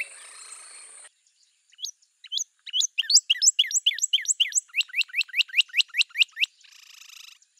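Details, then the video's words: Northern Cardinal delivering a quick series of about fifteen sharp downslurred whistled notes that grow louder and faster after a brief hiss, followed by a short burst of broadband noise. "Northern Cardinal Bird Sound Natural sound of singing birds"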